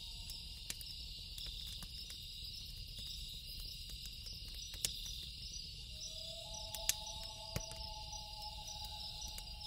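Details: Loon at night: a brief steady tone early, then after a pause a long wail sliding upward and holding, backed by continuous high insect chirring and sporadic pops of a wood fire.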